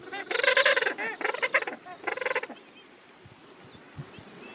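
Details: Gentoo penguins in a crowded rookery at the end of summer, thousands of birds. Three loud, harsh, pulsed braying bursts rich in harmonics fill the first two and a half seconds, then quieter colony murmur and scattered clicks follow.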